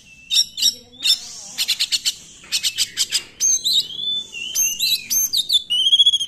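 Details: 'Nembak' song from an Oriental magpie-robin, a lure for magpie-robins that rarely sing: clusters of sharp repeated staccato notes in quick runs, separated by drawn-out thin whistles, closing with a rapid buzzy trill.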